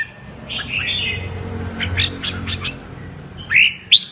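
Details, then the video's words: Red-whiskered bulbul of the 'mơ' type in double-voice (giọng kép) song: soft, hazy whistled notes over steady background noise, ending with two loud, sharp rising whistles. "Con Chào Mào MƠ cực đẹp, HÓT giọng KÉP Cực đã"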